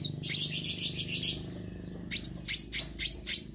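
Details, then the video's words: Meranti bird singing busily: a buzzy, rapid high trill, a short gap, then a few loud, sharp whistled chirps with sliding notes. "Burung Meranti Gacor"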